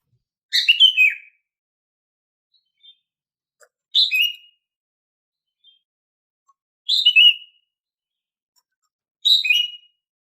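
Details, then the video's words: Female green leafbird's everyday call, meant to coax quiet males into song: four brisk, bright chirping bursts with a slight downward slur, spaced roughly two to three seconds apart, with faint soft ticks between. "Suara Burung Cucak Ijo Betina Bunyi Harian, Bisa untuk Memancing Jantan yang Macet Bunyi?"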